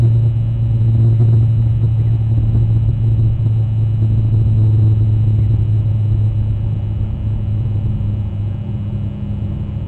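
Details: Loud continuous low rumble like passing traffic or an engine, with no animal voices.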